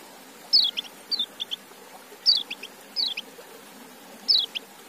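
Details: White-eye (kecial) kept as a cage bird and given apple: high, thin notes falling in pitch, in small clusters spaced about a second apart, over a soft hiss of background noise.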